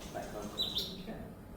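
Violet cuckoo flight call: two brief, thin, high notes about a fifth of a second apart, faint over a low murmur of room noise.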